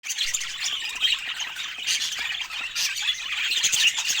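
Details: Budgerigars flying free in a garden outdoors chatter nonstop in a busy, scratchy stream of high squawks and chirps.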